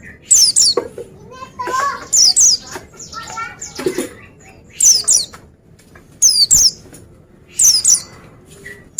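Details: Oriental white-eye (pleci) singing steadily: a pair of bright, steeply descending high chirps about every one and a half to two seconds, with softer warbling notes between and faint clicks.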